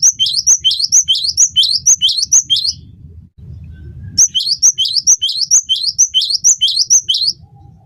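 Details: Cinereous tit, known as gelatik batu, singing hard to teach and draw out other songbirds: two long runs of about seven bright two-note whistles each, high note then lower, roughly twice a second, separated by a low-humming pause.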